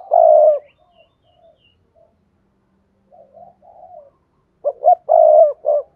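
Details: Spotted dove call for stimulating other doves to call. A loud low held coo opens, soft murmuring follows, then a full phrase of two short notes, a long note and a brief closing note.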